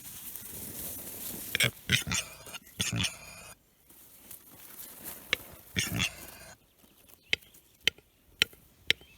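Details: Angry male Western Capercaillie in Lääne-Nigula parish, Läänemaa, Estonia, April 2021: sharp broadband clicks and rasping bursts come in uneven clusters, then a string of isolated dry snaps separated by quiet gaps.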